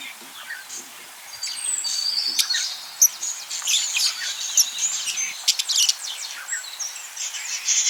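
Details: Courting pet budgerigar with a scratchy, babbling warble of high squeaks and brief whistles. Soft at first, it turns busier with clicky pulses and sharp accents toward the end.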